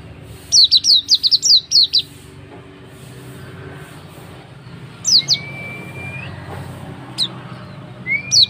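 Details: Oriental white-eye (pleci auri) lure recording meant to prompt a bird to sing: bursts of high, sharply descending chirps in quick runs, then isolated chirps and a long thin rising whistle, over faint low background rumble.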